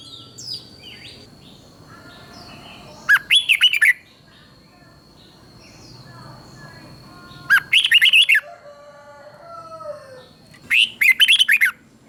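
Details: Red-whiskered bulbul from Thailand repeating its southern master-style song to rouse other bulbuls: three phrases of lively, tumbling whistled notes, each under a second long, spaced about four seconds apart, with soft chirps of other birds between phrases.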